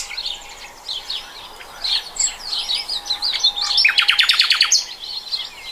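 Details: Common nightingale song recorded in 2020, with varied whistled phrases leading into a fast, loud run of repeated sharp clicks around four seconds, then softer notes.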